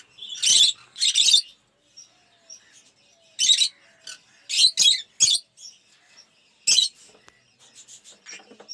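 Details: Aviary lovebirds of several colour mutations, such as Opaline, Off Pallid and Aqua Rosy, give loud, rasping shrieks in short clusters, separated by quiet gaps with faint, thin chirps.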